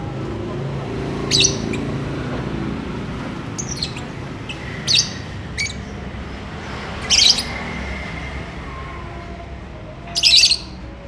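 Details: Lovebird calling while courting and wanting to mate: sharp, high, harsh chirps come singly or in short bursts every two to three seconds, with a steady low hum underneath.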